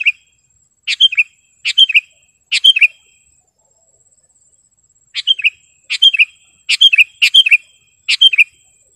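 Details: Lively sooty-headed bulbul song, sharp and clear, used as a tutor for caged birds and a lure for wild ones: a rapid run of short gurgling whistled phrases, three, then a pause, then six more in quick succession.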